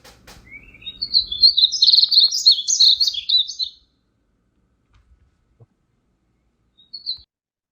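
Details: Male Painted Bunting song played back during a Lowcountry talk: a rapid, jumbled warble of high sweet notes, rising then tumbling, lasting about three seconds, followed by silence and one faint short note near the end; brief low rumble at the start.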